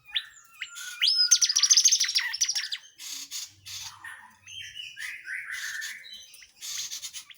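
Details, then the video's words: Tledekan jati singing a lively varied phrase: a dense rapid trill of high chattering notes, then lower whistled slurs and scratchy chirps with short pauses. "Tledean jati Gacor"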